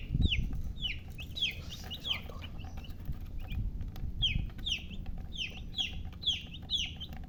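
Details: Chirping of baby chicks: bright, high, downward-sliding peeps in quick bursts with brief pauses between them, set against a rumbling low background noise.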